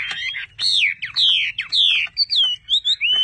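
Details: Loud, clear whistled phrases from a Chinese hwamei held by a Vietnamese bird trader, each note sliding up then down, given in quick succession with short gaps, ending in shorter looping whistles.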